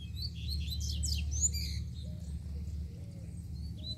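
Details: Short, hurried song from a free double-collared seedeater: high, twittering notes in a quick cluster at the start, then quieter scattered whistles against low-pitched background noise.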